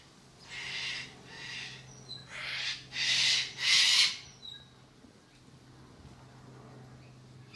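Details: Cockatoo at Airlie Beach calling in a run of five harsh, grating screeches, growing louder toward the last two, then falling silent over a steady low hum.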